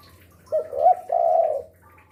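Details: Spotted dove, kept as a lure for wild doves and calling afternoon to night: a short low note slurring into a rounded coo, then a long, steady, slightly descending coo.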